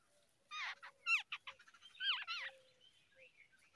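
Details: Early-morning feeding of babbler babies; a rapid flurry of squeaky, wavering down-slurred calls lasting about two seconds, then quieter scattered notes.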